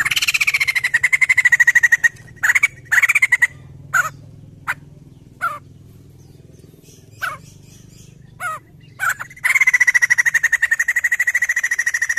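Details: Crested jay, kept bird called up with a lure recording, producing long rapid pulsed trills that open and close the passage, separated by sparse sharp clicks and brief chirps in silence.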